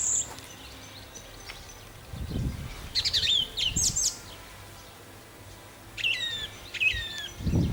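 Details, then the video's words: Nightingale heard in Nosivka, Ukraine, 1 June 2014, at night: sparse high twisting whistled phrases separated by pauses, with steady background hiss and low thumps. "Nightingale / Соловей"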